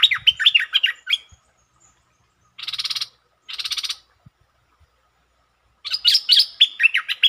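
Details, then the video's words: Streak-eared bulbul singing its varied songs, including long and doubled songs, recorded 13 February 2023: a fast burst of chirps, two harsh buzzy rasping bursts, then another lively run of chirping notes. "เสียงนกดอกแตงEp.148 จ้าวแบงค์เปิดดอกหลายเพลง มีเพลงยาว เพลงเบิ้ล Suara pikat merbah lekir"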